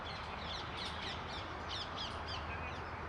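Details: Oriental magpie-robin recorded on 18 January 2021 in New Delhi, India; a series of short, harsh, downslurred notes repeated about every third of a second over steady background hiss.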